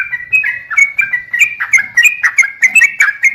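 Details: Sooty-headed bulbul song used as a lure to make birds sing: quick chattering run of warbled notes, several per second, fairly loud and clear with a faint low rumble underneath.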